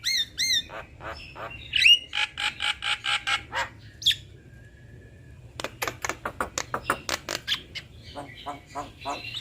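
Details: Duet of a male and female black-winged starling: rhythmic series of harsh grating squawks with a few sharp rising whistles, a brief pause, then another fast run of rasping notes.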